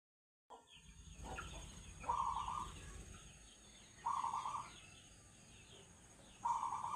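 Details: Zebra dove (perkutut) singing in the agem style: three short, rolling, trilled coos, each about half a second long, spaced roughly two seconds apart. Faint scratchy background noise runs throughout.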